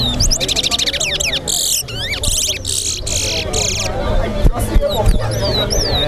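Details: A chestnut-bellied seed finch (towa towa) at a bird singing competition in Lusignan, Guyana, sings fast, varied runs of high, sweet whistles and trills in quick bursts, over crowd murmur and low background noise.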